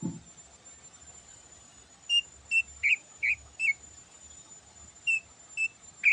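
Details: Greater green leafbird (cucak ijo) in morning song full of learned phrases: short, clear whistled notes sound singly or in pairs, some with a slight trill, with a faint steady hiss behind them.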